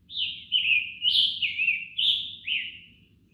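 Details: Scarlet Tanager, an area-sensitive interior species of large mixed or deciduous forests, sings a quick string of five or six hoarse, burry phrases, like a robin with a sore throat, over a faint low hum.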